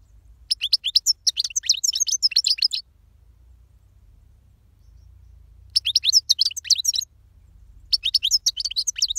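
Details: European goldfinch singing: dense, rapid twittering phrases of bright high chirps lasting two to three seconds, separated by a long silence.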